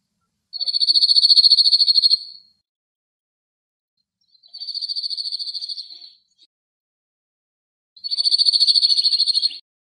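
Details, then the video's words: Male cirl bunting (Emberiza cirlus) singing on a rock in Greece on a cloudy, windy day, giving flat, dry, rapid trills on one high pitch, each about 1.5 seconds long, repeated every three seconds. "Σιρλοτσίχλονο Κελάηδημα σε Βράχο - Male Cirl Bunting Bird Singing"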